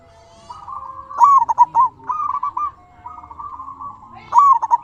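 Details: Zebra dove of local stock sings to provoke rivals and prompt other doves to reply; a quick stuttering cluster of soft coos, then level trilled cooing notes, and a fresh staccato burst opening the next phrase.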